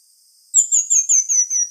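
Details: Song of the pin-tailed manakin, also called saíra licúria: after a brief pause, six thin, high whistled notes run in a steadily descending sequence, each note bending down in pitch.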